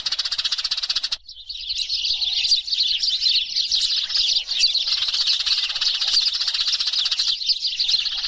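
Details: Eurasian tree sparrows in a noisy flock, used as a lure sound to draw sparrows down. Dense, continuous high chirping and twittering fills the whole stretch, many birds overlapping, with a brief lull near the start.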